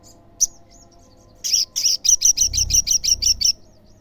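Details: Olive-backed sunbird song meant to draw answering sunbirds: one sharp high chip, a pause, then a fast string of about twelve loud, very high notes, roughly three per second, ending in a soft fading twitter.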